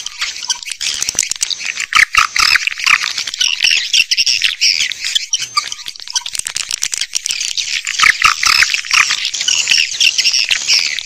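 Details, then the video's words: Swiftlet lure sound used to attract swiftlets, mixed for outdoor and indoor speakers: a dense, continuous chorus of overlapping high chirps and twitters, with brief louder bursts throughout. "Âm thanh dụ Yến"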